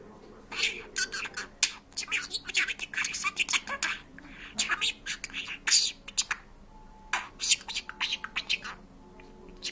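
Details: A talking parrot mimics Georgian speech: a long string of short, choppy, high-toned syllables grouped like phrases, separated by short gaps, in a quiet indoor setting.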